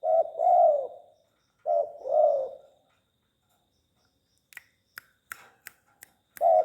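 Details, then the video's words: Tame spotted dove cooing in two-note phrases, short then long and mellow, followed by a pause filled with faint clicks and taps before cooing resumes. "Burung tekukur jinak bekur"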